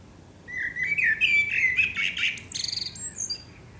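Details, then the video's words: Song of a Eurasian blackbird at sunset in Akersloot, the Netherlands, late March 2018: a rich, rising and falling fluty warble that breaks into a rapid, high, chattering trill. "Singing Eurasian Blackbird"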